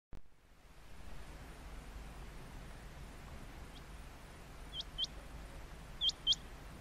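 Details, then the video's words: Male rain quail calling from a high perch during the rainy breeding season, advertising to females for mating: sharp, high, metallic double notes, two quick pairs about a second apart, over a steady low rural hiss. "Rain Quail calling"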